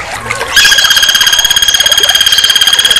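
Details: A red-crested woodpecker calling energetically gives a long, steady, buzzy rattle of rapid, even pulses, about a dozen a second, high-pitched and ringing, after a brief faint rustle.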